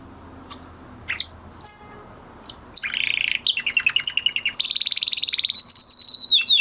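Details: Male canary singing after its moulting period: scattered sharp high chirps, then a continuous run of rapid buzzy trills and rolling notes at shifting pitches, ending in a clear whistled trill.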